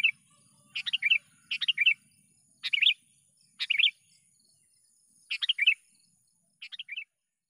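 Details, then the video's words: Sooty-headed bulbul lure call for trapping, six quick chattering phrases of bubbly, bright notes at uneven gaps of roughly one second, the last phrase softer, against near silence. "suara panggilan pikat kutilang"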